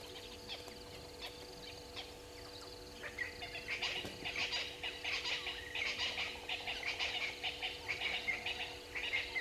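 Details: Red-billed hornbill at Gowrie dam waterhole, Djuma Game Reserve, Sabi Sand Wildtuin, South Africa, caught by a live waterhole camera at 05:53 on 04/03/2022; a rapid run of clucking notes builds after a quiet start and pulses steadily to the end over constant insect hum.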